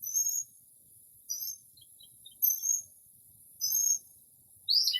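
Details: Northern mockingbird's midnight song in early spring, mimicking other birds: very high thin trilled phrases repeated at intervals, a few faint chips between, then a sharp descending note.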